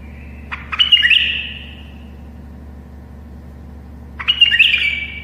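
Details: A tame bulbul sings to help other bulbuls learn to sing; two rich, bubbling phrases opening with sharp clicks and ending in fading whistles, spaced about three and a half seconds apart, steady hum behind.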